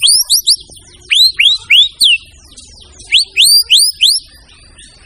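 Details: Murai batu, the white-rumped shama, singing energetically in a training recording. It repeats loud, swooping whistles that rise and then fall steeply, delivered in quick bursts of three to four with brief pauses between groups.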